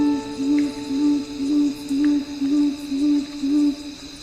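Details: A tawny frogmouth, a nocturnal Australian bird, calls at night with low, humming 'oom' notes, about two a second in a steady series, over a soft droning music bed.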